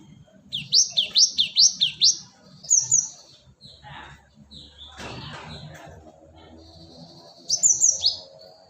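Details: Cinereous tit, known as gelatik batu, used as a bird lure: a fast series of five sharp, high, down-slurred notes, a short pause, a brief burst, then noisy rustling, and another quick cluster of high notes near the end.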